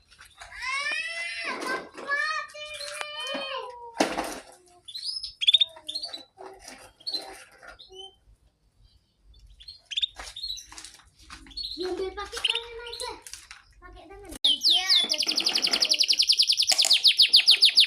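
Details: A canary described as a Yorkshire canary sings actively, bright varied trills and whistled phrases, with people talking nearby; Belgian canary (Serinus canaria domestica), song.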